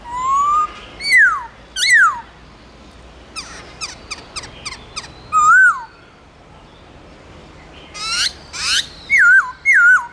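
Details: Black-throated laughingthrush song in the forest style called giọng rừng, used for training caged laughingthrushes: varied loud whistles, rising slurs and sharp falling notes, a burst of quick clicking notes mid-phrase, then wavering whistles at the end.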